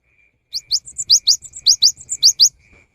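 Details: Cinereous tit song used as a lure during the rainy season: bright, high, rising whistled notes in quick pairs, about eight strong notes over two seconds, with a faint steady tone underneath.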